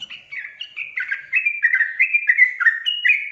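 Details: Sooty-headed bulbul song, used as a lure to get lazy birds singing: a fast chain of bubbly, slurred whistled phrases, each dipping then rising, roughly one and a half per second over a quiet background.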